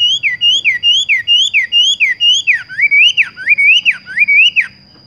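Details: Horsfield's bush lark delivering its "tung roll gantung" style song: a regular chain of looping whistled notes, each rising then dropping, about one and a half per second, later deeper swooping notes, with a faint steady tone behind.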